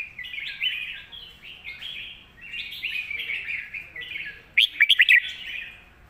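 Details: Contest red-whiskered bulbul performing the master song with a full, thick voice. Repeated rich, warbling phrases run throughout, then a quick burst of five sharp ringing notes near the end.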